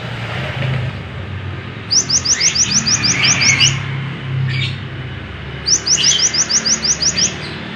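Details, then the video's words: Lemon-bellied white-eye, recorded as a tutor for other songbirds: two fast runs of ten or more quick rising high notes, a few seconds apart, over a constant low hum. "suara burung konin gacor cocok buat masteran"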